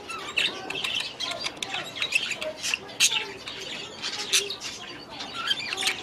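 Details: Group of budgerigars in an aviary with overlapping high chirps and squeaky warbles, plus occasional lower mid-pitched chirping notes, steady and irregular throughout.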